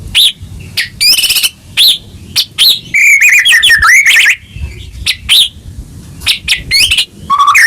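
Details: White-rumped shama song aimed at restoring a caged bird's singing. Sharp upward chips are separated by short gaps, with a central flurry of rapid warbled whistles and a low mellow note at the close.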